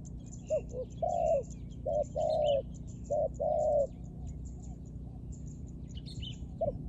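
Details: Series of dove coos: short clipped hoots alternating with longer, level, mellow notes in a steady run, then a pause and a single final hoot; distant bird twitters and a low background hum.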